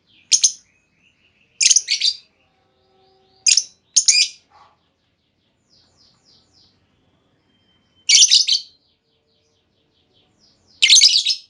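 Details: The lure call of a female lovebird, meant to draw long trilling responses from other lovebirds. Short, harsh, high squawky bursts are spaced several seconds apart, with faint soft notes in between and quiet surroundings.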